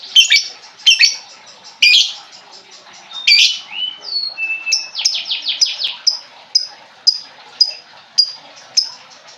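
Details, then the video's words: Lovebird chatter used to coax a quiet lovebird into singing: a run of loud shrill screeches, then short whistled notes and rapid squeaky trills repeating every half second. "pancingan burung lovebird macet bunyi"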